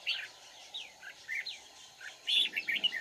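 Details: Red-whiskered bulbul recorded during a trapping session on 31 March 2019: short warbled, slurred phrases, some falling and some rising, given in bursts separated by pauses, with a steady faint background hum.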